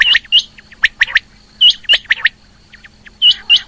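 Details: A female rain quail gives sharp, squeaky chirps in quick clusters of two or three, repeating about every second and a half over a faint steady hum.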